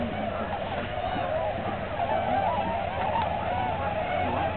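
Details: Many tundra swans calling together on a March 2009 migration stop at Aylmer Wildlife Management Area; overlapping whooping, honk-like notes blend into a constant wash, occasional individual calls briefly louder.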